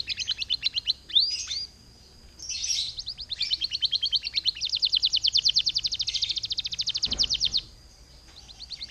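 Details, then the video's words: Canary song used to lure and set off other canaries singing: downward sweeps and warbled bursts, then a long rapid trill of evenly repeated notes lasting several seconds, with a brief low thump near the end. "PANCINGAN SUARA KENARI GACOR"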